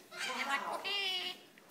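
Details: A roughly 15-year-old female severe macaw, newly resident at a parrot foundation in Damascus, Maryland, talks in a raspy, nasal voice with harmonic-rich syllables and a drawn-out, strained phrase near the end.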